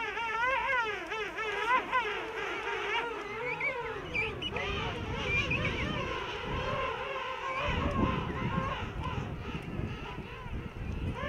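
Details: A dense chorus from a huge King penguin breeding rookery of thousands of pairs with chicks on Salisbury Plain, South Georgia: many overlapping trumpeting calls with rich, wavering harmonics, some rising and falling, over low wind rumble.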